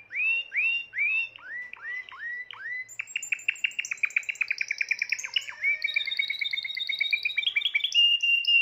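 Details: Song of a Timbrado canary kept in 2020: a run of rising swooped whistles opens into rapid rolling trills and sustained higher tours, with bright clear notes throughout.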